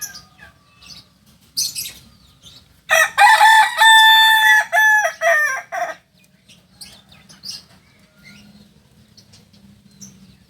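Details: Kokok Balenggek chicken, a native singing chicken of Solok, giving a landiak-class crow: a loud, three-second crow broken into about six stepped, ringing syllables. Soft chirps and clucks come before and after.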